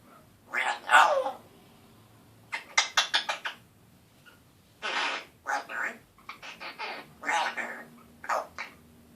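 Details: Scratchy-voiced one-year-old male African grey parrot practising his first words; separated bursts of hoarse syllables, some quick clicky notes in a rapid run, with quiet gaps between phrases.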